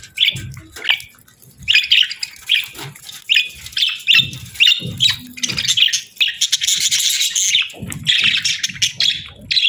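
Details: Breeding-season budgerigar pair chirping: short scratchy chirps at first, then denser warbled chatter building after four seconds into a nearly continuous buzzy stream, with light low taps underneath.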